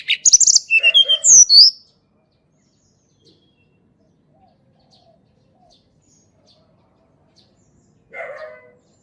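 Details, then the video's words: Sunda robin song meant to coax silent birds into singing: an opening burst of fast, sharp, downslurred whistles, a long quiet stretch with tiny ticks, then a short harsh rasping note. "TLEDEKAN GUNUNG SUARA ASLI ALAM \\ COCOK UNTUK PANCINGAN TLEDEKAN MALAS BUNYI"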